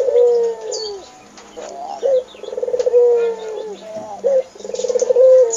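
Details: Domestic Barbary dove in lively voice, giving repeated low purring coos. Each begins with a quick sharp note and rolls into a vibrating, drawn-out phrase, three phrases in about five seconds.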